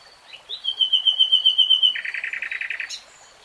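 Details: Common nightingale (Luscinia megarhynchos) singing: a long pure whistled tone pulsing quickly, breaking into a lower buzzy run of rapid repeated notes, then a sharp high flick.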